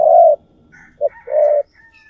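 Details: Decoy spotted dove cooing to draw in other doves: one long, hoarse coo, a short note, then another long coo, with thin, high bird chirps faintly in the background.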